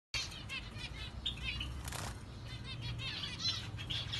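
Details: An orange zebra finch gives short, nasal chirps and beeps in quick succession over a steady low hum, with some wing flutter.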